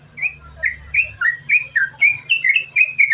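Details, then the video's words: Lure recording of a chatty yellow-vented bulbul singing non-stop: wavering whistled notes sliding up and down, roughly three to four per second, with a low rumble and hum underneath. "Trucukan Gacor, Sambung Ropel,Ini Ampuh Buat Pancingan Trucukan Agar Bunyi"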